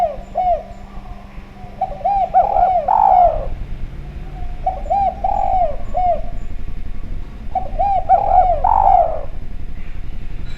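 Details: Lure call of a Javanese spotted dove singing actively and clearly: rounded coo phrases of quick doubled notes ending in a longer sliding coo, three phrases in succession over faint hum.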